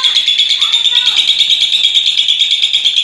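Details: Lovebird, a paud, keeping up its ngekek chatter, an even, fast buzzing trill of high shrill pulses, with faint lower bird chirps early on.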